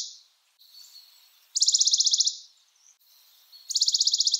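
Western Bonelli's warbler giving two short, dry, high trills on one even pitch, each under a second, with faint thin buzzing notes between.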